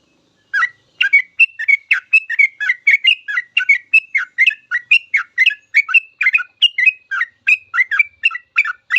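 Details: Sooty-headed bulbul singing a long full song, offered as a master recording for teaching caged birds: a rapid stream of bright, bubbling whistled notes repeated nearly three times a second, continuous throughout with no other sounds.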